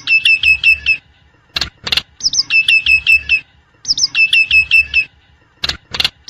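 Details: Nias hill myna in the wild repeating one phrase three times: five quick hooked whistles, each phrase followed by one or two loud harsh broadband squawks.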